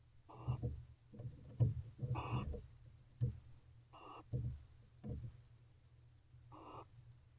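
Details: Bonded barn owl pair inside a nest box at 3:36 am, dated 10/8/23, the male going to the door to welcome his mate; short raspy, breathy bursts repeat about once a second over a steady low electrical hum.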